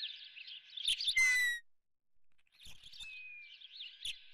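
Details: Osprey at its nest with a live fish brought for breakfast: a loud, slightly falling whistle with bright overtones, then a shorter level whistle, over a steady background of dense high chirping from small birds.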